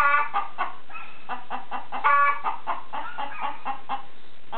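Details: Chicken clucking repeatedly, short harsh notes at irregular intervals, one louder drawn-out squawk, with constant low background hum.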